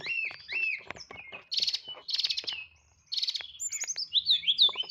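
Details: Caged white-rumped shama kept by a songbird community in Boyolali, singing in the nyeklek style with a full varied fill: whistled slurred phrases, rapid buzzy trills and sharp clicks, rich and loud.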